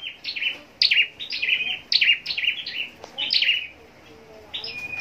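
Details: Scarlet-backed flowerpecker bred for singing contests giving rapid high chirps and twittered phrases, a steady series then a pause and a final thin level whistle; faint low background sounds.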